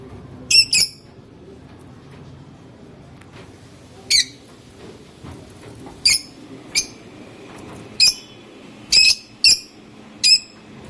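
Lovebirds give sharp, shrill chirps and squawks in short bursts, spaced irregularly every second or two against a quiet indoor background.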